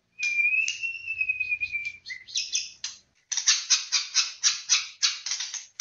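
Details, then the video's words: Murai batu, the white-rumped shama, opens with a sustained clear whistle, then breaks into a series of harsh, buzzy, scratchy notes repeated in quick rhythmic bursts. "Suara Burung Murai Batu"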